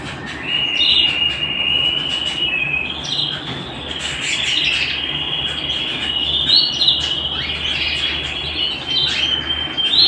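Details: Canary singing at home: a continuous high warbling song of sustained whistled tones and rapid rolls, with brief sharp upward notes rising above a steady trill, over a constant broadband background hiss.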